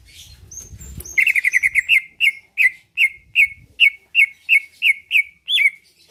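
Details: Caged greater green leafbird from Pasuruan, Indonesia, singing to provoke an answer and a fight; a fast burst of chipping notes opens into a steady series of ringing whistled slurs, about three per second, after faint thin high whistles.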